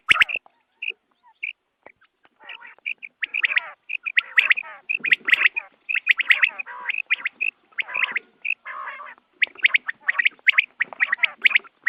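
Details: Dawn quail calling used to attract birds for hunting, starting sparse with single clipped notes, then building into rapid chattering bursts of bright notes and rough, squawky trills.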